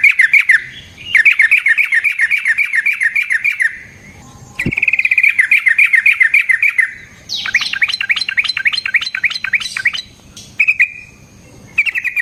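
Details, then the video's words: Fighting song of a sooty-headed bulbul, used to lure and train other birds: long bursts of quick, chattering repeated notes, several seconds each, broken by short gaps, ending in brief trills. "Burung TRUCUKAN GACOR Ropel Panjang Cocok untuk PANCINGAN Trucuk bahan dan MASTERAN Burung Trucukan"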